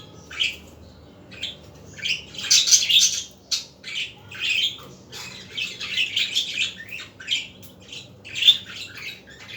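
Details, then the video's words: Budgerigar chatter on an afternoon, a continuous mix of scratchy warbles, squeaky chirps and short squawks in uneven bursts, with brief pauses between phrases. "احلي عصريه مع اصوات طيور الحب البادجي"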